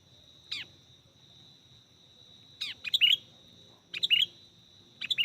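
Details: Sooty-headed bulbul chirping during bird luring for trapping: sparse sharp notes, some in pairs or triplets, separated by pauses of about a second, with a faint continuous high whine.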